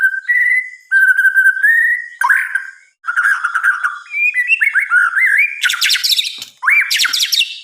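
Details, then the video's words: Night-time song of a white-rumped shama: rich flowing whistles shifting in pitch, then rising slurred notes and harsh, buzzy bursts toward the end, sung steadily with only a brief gap. "Suara Kicauan "MURAI BATU" di Malam Hari"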